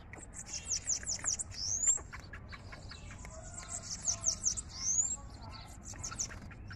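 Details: A Bananaquit from Rio Grande do Norte sings two very high, thin, hissing bursts of quick descending notes, each ending in a rising buzzy slur, over faint background hum.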